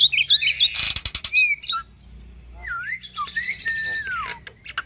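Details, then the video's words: Hybrid starling, a cross of Nias hill myna and Asian pied starling, singing a lively tutor song for cage birds: bursts of chattering and buzzy notes, then clear slurred whistles sweeping up and down, with a lower falling whistle near the end. "Masteran Jalak Hybrid Gacor Full Isian - Silangan Jalak Nias X Jalak Suren Gacor Parah"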